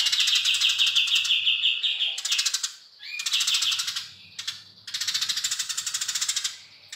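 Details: Eurasian tree sparrow singing actively in a long chirping style: bursts of fast, high, scratchy chirps in quick series, broken by short pauses and a few sharper single notes, over a soft low hum.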